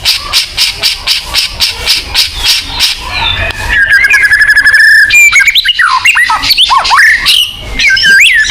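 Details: White-rumped shama song as a singing lure: a steady series of repeated harsh chips, then a level rapid trill and bright twisting whistled phrases.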